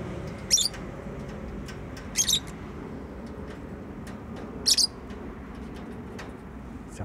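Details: Pet bird giving three short, high chirps spaced about two seconds apart over a steady low background hum.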